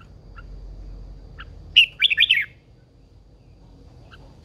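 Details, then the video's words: Caged, old wild-caught female red-whiskered bulbul spurring males to sing: a single rapid phrase of four or five bright, bubbly notes, with faint soft chips before and after. "Chào mào MÁI GIÀ RỪNG || Chào mào MÁI THÚC TRỐNG căng lửa"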